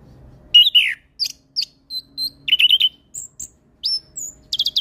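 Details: Orange-headed thrush in chatty, varied song for bird training: separate clear whistled notes, brief chirp clusters and a quick rattling series, with short silences between.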